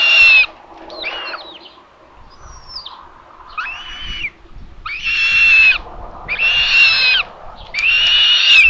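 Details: Common buzzard nest in Tiszalök, Hungary, 27 May 2022, during the mother's feeding of the third chick. Faint, broken squeals and thin whistles build into four loud, hoarse screeches, with a low rumbling background.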